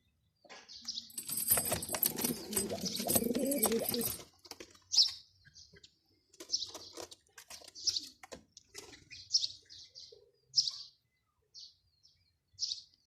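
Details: Male pigeon (Columba livia) performing: wings flap loudly for a few seconds, then a series of brief, high squeaky notes follows at uneven intervals; wing flapping and calls.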